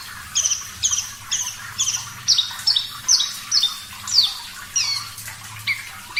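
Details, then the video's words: Parva-type Javan bush lark in full, clear song for training other songbirds: bright, high chips that drop in pitch, delivered in a steady series roughly twice per second, some doubled, against faint low hum. "Masteran Branjangan Parva Gacor Suara Jernih"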